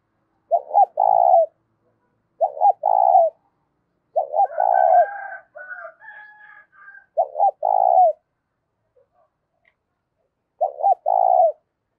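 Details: Spotted dove cooing, a loud clear voice used to stir up decoy doves. Five phrases, each two short clipped notes then a longer rolling coo, with gaps of about two seconds. Another bird's higher chatter comes between the middle phrases.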